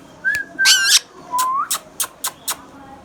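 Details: Hand-tame pet Indian ringneck parakeet, green, giving a thin level whistle, a harsh buzzy burst, a rising whistle, then several short sharp clicks spaced about a quarter second apart.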